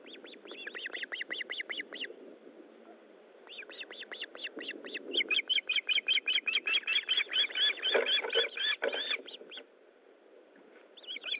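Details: Osprey at its nest during a fish delivery, 13 July 2012 at 20:15: rapid series of short, sharp whistled chirps repeated about two to three per second, rising into an excited, denser burst of overlapping chirps midway, then fading.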